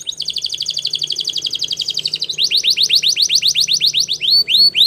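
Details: Spanish Timbrado canary song for training: a long, even, fast metallic trill, then a series of loud swooping notes repeated about four times a second, finishing with a few drawn-out, clear whistles.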